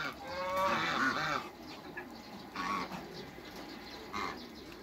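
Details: Backyard hybrid Cayuga and Muscovy duck making a drawn-out, rough nasal quack, followed by two or three fainter short calls over quiet background.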